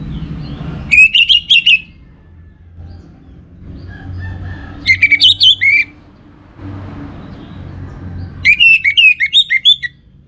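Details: Caged Orange-headed thrush from Singaraja, northern Bali, delivers three separate bursts of rapid, tumbling whistled notes, each lasting about a second, with quiet low rumble between phrases.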